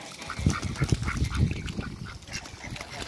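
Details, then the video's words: Muscovy ducks and hybrids in water in a backyard, giving low, breathy hissing calls in quick uneven bursts, with splashing and higher honk-like notes behind. "MUSCOVY DUCKS IN THE WATER"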